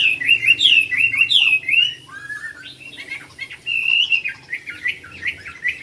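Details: Caged yellow-billed Chinese hwamei at home in Vietnam singing loud, clear whistled phrases, rapid rising and falling notes in quick bursts, then softer varied warbling.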